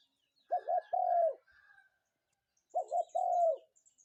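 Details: Clear morning call of a spotted dove, two identical phrases about two seconds apart, each a pair of quick rising-falling notes followed by a long smooth coo, with near silence around them.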